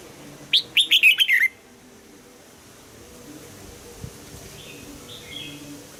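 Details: A red-whiskered bulbul gives a single short phrase of rapid, bright, whistled warbling in the double-note mature wild morning style during voice training, followed by near silence with faint distant chirps.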